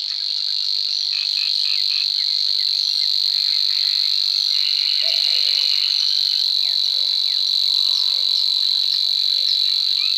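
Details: Savi's warbler in Czech Republic wetland, male singing during mating season to mark territory: a continuous high, insect-like reeling buzz held steadily throughout, with faint chirps of other birds in the background.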